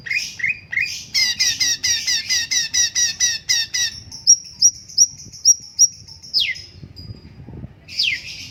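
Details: Straw-headed bulbul opening with a rapid series of pulsed buzzy notes, then a string of short clear whistles and two long downward-sweeping slurs.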